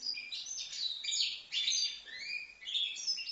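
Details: Young European goldfinch, five months old, from Livno, singing a continuous bright twitter of high, rapid notes with short buzzy slurs and rising sweeps, pausing briefly near the middle.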